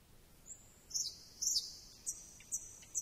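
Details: A thrush nightingale holds high, piercing whistles with louder swelling bursts, then adds brief sharp notes spaced about half a second apart.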